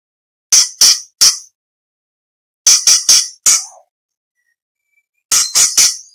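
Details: Orange-bellied leafbird song used as contest training material for other songbirds: three groups of short, harsh, broadband chattering notes, the middle group ending in a lower wavering slur, separated by silent pauses.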